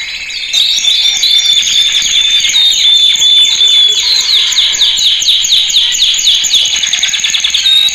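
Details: Loud male canary training song: after a brief soft start, a dense unbroken rolling trill of quick high chirps and whistles runs to the end.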